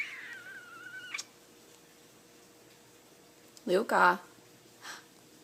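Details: A pet parrotlet talking in a small room, giving a thin gliding whistle, then a quick burst of raspy, word-like syllables near the end.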